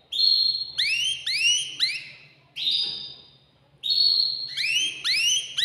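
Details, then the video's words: Excited male canary singing to stimulate a female to mate, in a cage: clear upward-sweeping whistled phrases, some held as steady high notes, in bursts separated by short pauses. "تغريد ذكر كناري هائج يريد تكسير القفص يحفز الأنثي لتزاوج"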